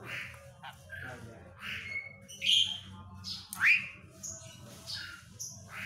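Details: Asian pied starling singing a varied mix of short squawks, clicks and sharp rising whistles, with loud bursts near the middle, over a steady low rumble of background noise.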